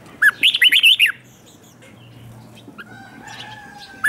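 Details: Red-whiskered bulbul kept as a lure to call in wild birds: one quick phrase of six bright, swooping whistled notes lasting under a second, followed by quiet with faint steady tones and a fresh start at the end.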